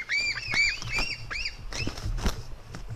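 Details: White-tailed eagle eaglets squabbling, female against her brother; a few quick arched squeals in the first second, then scuffling knocks and thuds with fainter cries.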